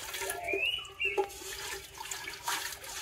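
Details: Indian pitta in summer in the Konkan, India, gives a clear, rising two-part whistle over running water and the clatter of pot washing, with low cooing beneath; a viewer also noted a spotted dove and a brown-headed barbet.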